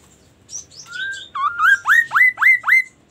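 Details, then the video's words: Murai, a magpie-robin, singing: a few high thin whistles, then a long steady whistled note, then five quick upswept notes that rise steeply, each repeated about every quarter second, loud and clear over a quiet background. "KASO KASO Berbunyi MURAI"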